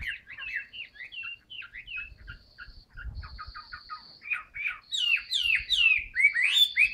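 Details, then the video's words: Caged Chinese hwamei singing with fanned tail: a fast, varied run of whistled, slurred notes, rising and falling, with brief sustained high tones between phrases and soft low knocks underneath. "HM 275 siêu mẫu áo mới đẹp long lanh hót xòe bền"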